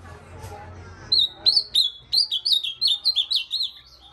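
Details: An ultramarine grosbeak delivers a lively run of about ten sharp, high whistled notes, each dipping then rising, after a second of low murmuring in the background.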